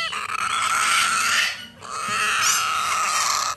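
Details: Two long, harsh, buzzy begging rasps from a Major Mitchell's cockatoo chick, each lasting well over a second, with a clear dip and pause between them.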